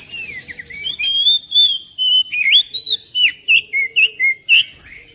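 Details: Oriental magpie-robin song used to coax another kacer to sing: sweet rising and falling whistles leading into a fast series of about ten clipped, evenly spaced chirps.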